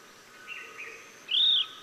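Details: Chestnut-bellied nuthatch (Sitta cinnamoventris) in Sattal, Uttarakhand, India, giving a single clear, high, slightly arched whistle after a couple of faint quieter notes.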